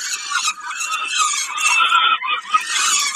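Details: During a snack at Kawęczyn on 20 May 2022, a peregrine falcon gives drawn-out, scratchy screams that briefly break off just past halfway, then resume.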